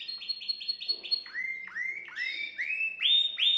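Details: Canary singing to stimulate a female: clear whistled song of rapid repeated rising notes, trills shifting in pitch every second or so, steady and loud.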